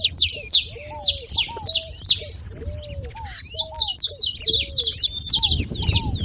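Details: Song of a saffron finch used to wake a quiet bird's singing: lively series of sharp, high, descending notes, fairly evenly spaced, with low arched whistles from a second caller beneath.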